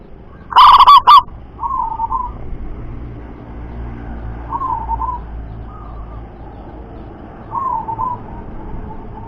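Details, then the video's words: Local zebra dove with a strong, far-carrying voice, recorded as a lure to prompt other doves to sing. One loud rolling coo burst opens, then several quieter trilled coos follow over a low background rumble. "Perkutut Lokal Suara Lantang Mampu Jarak Jauh"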